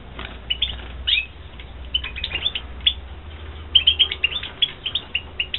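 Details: Captive-bred European goldfinches (Carduelis carduelis), 2016, twitter in quick, bright, tinkling chirps and short trills, bursting in clusters every second or so over a low steady hum. Finding: European goldfinch.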